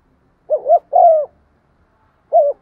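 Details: Spotted dove kept as a lure bird, cooing to stir rival doves. One full mellow phrase, a bouncing two-part coo then a sustained sliding note, followed by the start of a second phrase that is cut off at the end.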